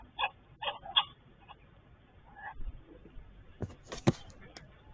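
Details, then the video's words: Grey go-away-bird calling early morning on 21 August 2023 at a waterhole near King's Camp, out of view and perhaps high in dead trees: three quick, nasal, bleating calls, then a fainter one, followed by sharp knocks and clatter. "Did you all hear that bird calling? That is a grey go-away bird."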